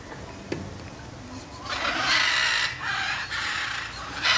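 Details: Macaws screeching in a long, harsh, noisy outburst lasting several seconds, with a brief pause partway through and a faint voice in the background.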